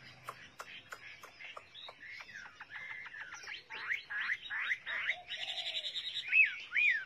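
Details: Chinese hwamei giving a quieter, busy song of quick clicks, chattering notes and slurred whistles that build toward louder, clear, arching whistles at the end.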